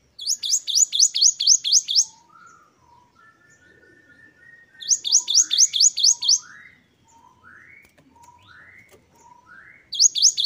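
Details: Great tit, locally gelatik batu, singing a wucit2 variation: two long bursts of about nine rapid high repeated notes, with softer lower rising whistles filling the gaps between.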